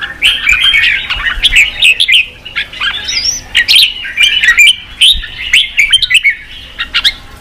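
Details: Red-whiskered bulbul song played to rouse wild-caught bulbuls into fighting: a continuous, lively stream of chattering, warbled notes, busy and overlapping throughout.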